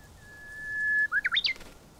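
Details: Japanese bush warbler; song; territorial song; hearing it provoked a rival to attack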